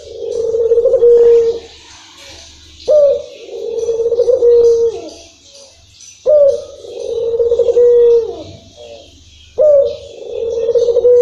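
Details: Spotted dove of a local strain delivering its long-rhythm cooing song, four deep, smooth phrases each starting with a brief lifted note then a sustained soft coo, spaced roughly three seconds apart.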